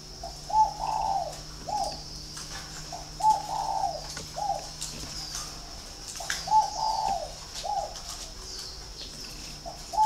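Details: Spotted dove from a breeding garden in Ba Vì, Hanoi, Vietnam, its voice described as very resonant; it gives repeated mellow coo phrases, each a short note and a longer rolling coo, roughly every three seconds, against a constant high-pitched hiss.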